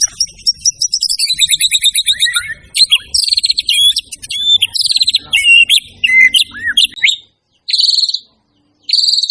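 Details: Loud, lively white-rumped shama song of rich whistled phrases, some sliding downward, mixed with rapid chattering notes, ending in short buzzy bursts separated by brief pauses.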